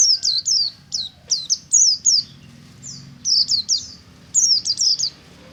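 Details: Morning ngalas song of a buxtomi-type white-eye (pleci), a lure for other white-eyes: short clusters of piercing, high descending whistles repeated in irregular bursts, with a soft low background rumble.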